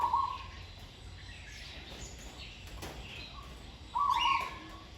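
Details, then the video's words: Single caged Zebra dove in training, hung in trees, praised for a sweet voice and good phrasing: one rolling, rapid cooing phrase near the end, a clipped phrase at the start, faint chirps of other birds behind. "นกเขาชวาฝึกต่อ เสียงเพราะๆ เดินกลอนดีๆ"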